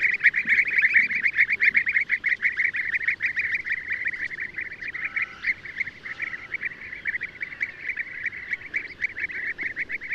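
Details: Dense chorus of European bee-eaters, Merops apiaster, their rolling notes blending into a near-continuous chattering band, fading slightly midway before picking up again.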